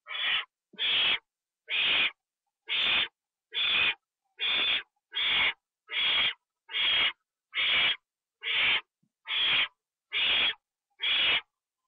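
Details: An owl being given a treat, eaten inside, on 25 September 2011 at 1:52 AM utters thirteen steady, loud hissing screeches, one roughly every 0.9 seconds, in an otherwise quiet setting.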